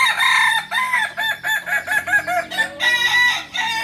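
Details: Kokok Balenggek rooster, a native singing chicken of Solok, from a breeding farm in Solok city, giving a long stepped crow: a run of many short, rising-falling harmonic syllables, one after another, ending on a sustained higher note.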